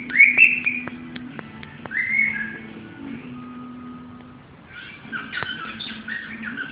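A cockatiel whistles bright rising and falling phrases, then breaks into a rapid, scratchy chatter.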